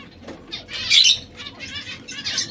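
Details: Three household canaries in red, yellow and brown that occasionally bicker. One loud, harsh squawk is followed by softer, buzzy chirps.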